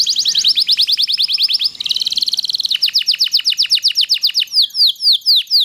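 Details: Loper canary in full rapid-fire song for tutoring other birds: a fast rolling trill, a brief buzzy churr, then crisp descending whistled notes repeated about twice per second, slowing toward the end.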